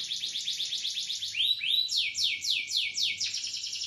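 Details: Canary song made of fast repeated trilled notes, moving from a rapid buzzy roll into slower, swooping downward-sweeping notes repeated about four times a second, then back to a quick high trill.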